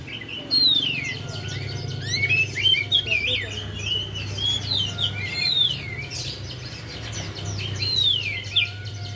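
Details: Javan white-eye singing as a lure for a bird that is reluctant to sing; busy chattering warble of quick rising and falling whistles with a low droning hum behind.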